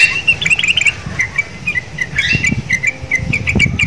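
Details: Caged sooty-headed bulbul in full song, said to sound like the Javan myna it hangs beside. A rapid cluster of chirps, then spaced short whistled notes with faint knocking beneath.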